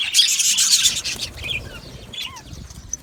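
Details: Budgies in an aviary: a loud second of massed high chatter gives way to sparse, separate whistled chirps, some rising or dipping, over quiet background.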